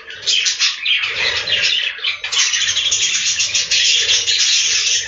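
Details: Many budgerigars calling together inside a farm breeding room, forming a dense, continuous wall of shrill chirping and squawking without any breaks.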